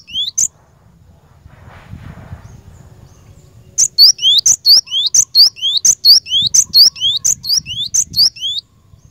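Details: Cinereous tit song used to train caged birds to sing: after a quiet start with a low rustle, a loud, high, ringing two-note phrase, a falling then rising whistle, repeats steadily about a dozen times.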